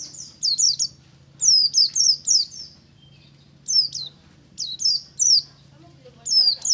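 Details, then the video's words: Morning ngalas song of a pleci buxtomi white-eye: bright, high descending tweets strung in rapid runs of three or four, broken by brief silences, with a faint low droning hum throughout. "BURUNG PLECI NGALAS DI PAGI HARI"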